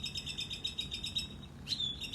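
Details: A male Northern Mockingbird in a tree behind a deck in the morning sings a fast run of bright, repeated chirps, about six a second, then a quick rising phrase, over a low background rumble.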